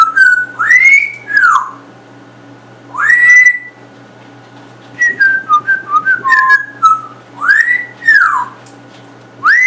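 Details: Captive male African grey parrot that learns new words every few days and imitates shooter-game sounds; loud swooping whistles arching up then down, repeated several times, with a quick series of short stepped whistles midway.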